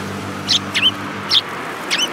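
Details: Sparrows including a yellow-beaked individual, 29 January 2018: four distinct high chirps spaced roughly half a second apart, some with a short upward twist, over a faint low hum.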